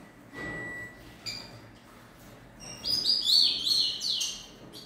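A three-month-old rufous-collared sparrow sings high, clear whistled notes that run into a bright, tumbling phrase.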